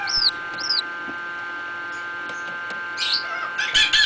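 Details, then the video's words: Pheasant chicks hatching in an incubator give two high, arched peeps, then more scattered peeps and some clicking, over a steady mechanical hum. "pheasants in incubator"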